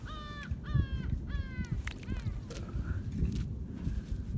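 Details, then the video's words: A gull over tidal mudflats gives three nasal, harmonic 'ha-ha' calls about half a second apart, then a few shorter notes, over a steady low rumble of wind. "갈매기 : ha~ha~"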